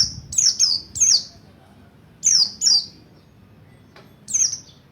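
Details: Mountain white-eye (Buxtoni) learning a wild-style rolling song, used to provoke other white-eyes: high, sharp descending chirps given singly and in pairs, separated by pauses of over a second, over a faint low rumble.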